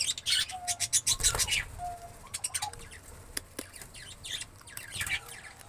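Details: Indian green ringneck parrot giving sharp, high chirping calls in bursts, several loud screechy notes close together with quieter gaps, faint low background rumble and some flapping-like sounds.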